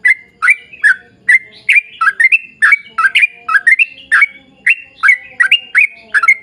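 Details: Chattering 'gacor' song of a yellow-vented bulbul: quick clustered chirps and squawky notes bunched in pairs, strings of rising and falling syllables pouring out with hardly a pause over a quiet background.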